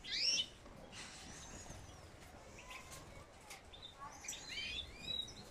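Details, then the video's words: Goldfinch calls: a bright twittering burst at the start, then scattered thin chirps and short upslurred notes, with a louder twittering cluster near the end over faint background hiss. "Jilgueros píos parvas"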